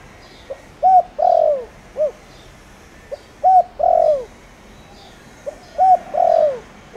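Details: Spotted dove of the 'thổ đồng' voice type, kept as a decoy bird to stir wild doves into calling. It gives low, hollow cooing phrases: two short notes, a long drawn coo, then a falling note, repeated about every two and a half seconds.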